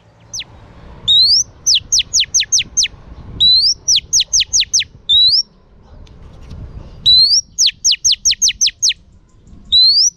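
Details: Female oriental magpie-robin singing to stimulate male birds: repeated phrases, each a rising upslurred whistle followed by a quick run of five or six sharp, steeply falling notes, with quiet pauses between bouts.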